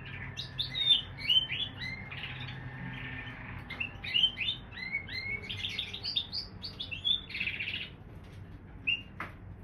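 A canary-bullfinch hybrid sings a lively run of high twittering phrases, short whistles and buzzy trills strung together with brief pauses, over a low steady hum.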